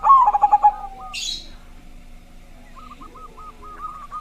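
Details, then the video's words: Zebra dove lure song meant to get other doves singing; one short loud rolling coo at the start, a brief hiss, then quiet repeated hooked notes. "perkutut suara besar, Membuat perkutut lain langsung ikut bunyi"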